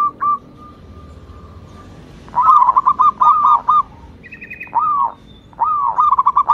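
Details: Song of a local Indonesian perkutut, or zebra dove, meant to prompt lazy doves to sing. Brief cooing notes run into quick rolling bursts of clipped notes, with one higher drawn-out note between the bursts.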